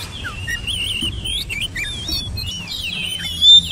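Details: Oriental magpie-robin singing a varied run of high whistled phrases, slurred notes rising and falling, with a short loud whistle near the end over low background rumble.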